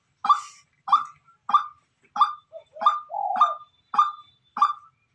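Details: White-breasted waterhen used as a decoy bird, calling naturally: loud, harsh mid-pitched notes repeated about every two-thirds of a second, one longer drawn-out note in the middle of the series, silent background.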